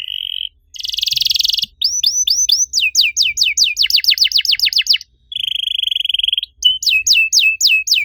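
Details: Canary master song played to encourage stalled canaries to sing; a buzzy trill, rising whistles, a fast run of repeated falling notes, another rolling trill and descending slurs.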